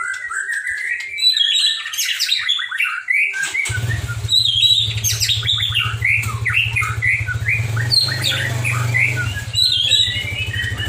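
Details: Trophy-winning caged white-rumped shama pouring out kilo-style song with odd mimicked phrases: a long, dense torrent of fast whistles, trills and sharp slurred notes, with a steady low mechanical hum starting partway through.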